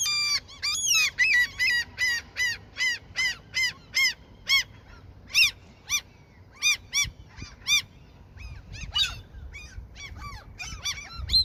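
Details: A seagull, fed so it will not attack at a fishing spot, repeats sharp, arched kek-like notes about twice a second for eight seconds before softer, irregular calls.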